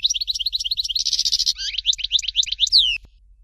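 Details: Dalya-style European goldfinch song, Fort de l'eau type: a continuous, rapid series of high sliding twitters, a buzzy rattled section, more quick chirps, and a long descending whistle at the end.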